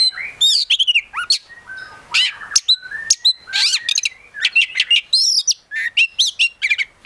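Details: Oriental magpie-robin, a promising kept bird, in rich gacor isian song: swooping whistles and slurred notes building into a fast stream of loud chirps and trills with little pause.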